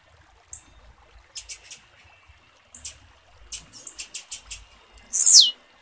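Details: A female blue-black grassquit gives thin, very high chirps in uneven clusters, then a buzzy note sweeping steeply downward, with no other sounds standing out; a call used to stimulate males to sing.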